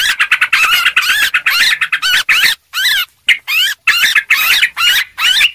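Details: Noisy lure chatter of yellow-vented bulbul: fast runs of rolling, gurgled notes, then spaced swooping phrases separated by short silences, ending in loud dense bursts.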